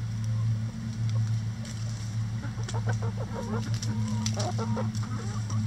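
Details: Chickens working at a hanging cabbage ball in their run; a run of quick soft clucks and short clicky notes in the second half, set against a heavy steady low hum.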